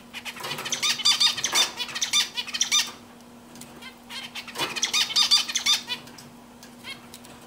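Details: Zebra finch sings while perched on a swing, giving two dense strophes of quick, tinny, buzzing notes, each close to two and a half seconds long, with a quiet gap between and a constant low hum behind.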